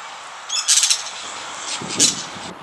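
Yellow-chevroned parakeet giving shrill, scratchy chattering calls in two short bursts, a rapid cluster followed by a single sharp screech, over a steady outdoor hiss.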